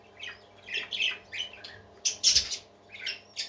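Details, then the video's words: Parakeets singing indoors with separated squawky phrases about every second, the loudest harsh burst near two and a quarter seconds, plus a steady low hum. "Happy Parakeets Singing"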